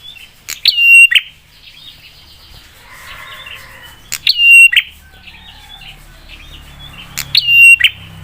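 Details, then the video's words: Prinia singing sharply to provoke other prinias into answering: three loud whistled phrases, each snapping into a held high note and a buzzy finish, with quiet chatter and faint low rumble between. "Prenjak suara PEDAS bikin prenjak lain cepat nyaut dan emosi"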